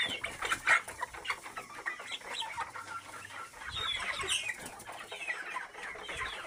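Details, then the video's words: Several local chickens cluck and chirp in a dense, irregular chorus, with short, sharp notes rising above the steady murmur of the flock. "Enkoko Enganda Local chicken"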